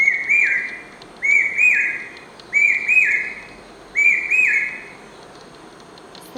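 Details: Incessant song of the common hawk-cuckoo, the brain fever bird: loud, shrill phrases of two rising whistled notes, repeated three times in quick succession over steady background hum.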